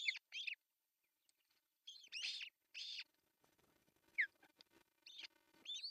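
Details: Osprey at a Finnish nest in Pohjois Satakunta, June 10, 2024, while the male delivers a fish for breakfast; shrill whistled yelps in pairs and short bursts, with soft rustling and faint background noise between them.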